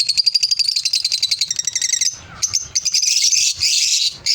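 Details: High buzzy pulsed chatter from lovebirds for two seconds, then a brief lull with a low squeak before a harsher, denser run of shrill chirps and squeals.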